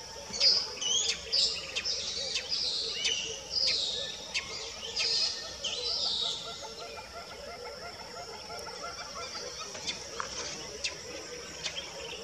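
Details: Northern puffback in Gambia, 2015, giving sharp, clicking and chattering notes in quick bursts, thinning out after a few seconds, over a steady high insect-like hiss.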